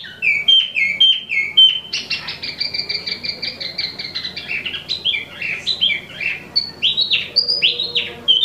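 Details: Song of an imported wambi mini: quick repeated downslurred whistles give way to a fast rattling trill, then looser varied phrases of rising and falling notes, delivered continuously and energetically.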